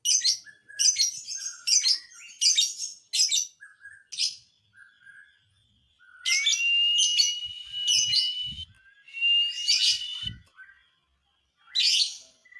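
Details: Lovebird singing to provoke other lovebirds: rapid series of harsh, buzzy high chirps, then a longer thin whistled tone woven through scratchy chatter.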